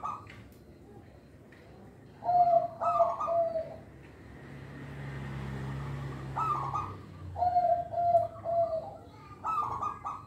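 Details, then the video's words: Local zebra dove song used to lure young birds. Three phrases each mix rapid, buzzy, pulsed notes with clear, level coos, separated by quieter gaps. A low hum sounds in the background. "Perkutut Lokal Suara Istimewa, Pemikat Bakalan"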